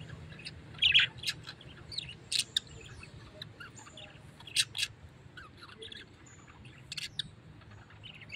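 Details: Parrot, likely kept as a pet, giving short, sharp high chirps and squeaks scattered through the stretch, loudest near the first second, with a faint low hum underneath.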